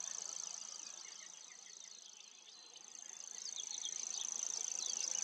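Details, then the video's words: Continuous high mechanical reeling of a common grasshopper warbler, even and unbroken, while other small birds add scattered slurred and chirping notes that grow busier toward the end. "Feldschwirl Gesang"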